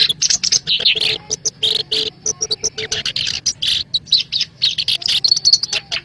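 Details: Lure sound of a black-browed reed warbler, played to attract birds for trapping: rapid grating chatter in bursts, alternating with short squeaky whistles, with a low steady tone underneath in the first half.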